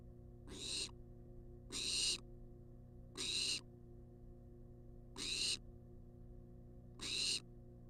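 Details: A wild barn owl demanding food in a monitored nest box on live camera gives noisy, breathy screeches, five bursts in eight seconds, each roughly a third of a second long, over a faint steady hum.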